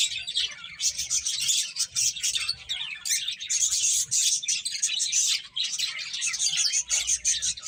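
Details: Finches eating and chirping in a lively chorus: dense high twitters with recurring thin, pure whistled notes strung in short rows, nearly continuous for almost eight seconds.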